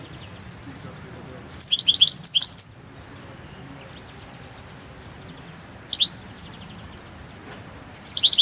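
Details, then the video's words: Goldfinch of subspecies balcanica recorded for a 2022 world championship in goldfinch song held from Serbia: a dense high twittering phrase, then a lone sliding note and the start of another twittering burst. "Pesma štiglića 006/22 World Championship in Goldfinch Song"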